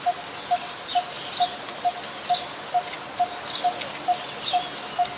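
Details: Coppersmith barbet calling in Ubon Ratchathani, Thailand, 2 January 2021: a metronome-like series of hollow 'tuk' notes, roughly two per second, with soft higher bird calls in the background.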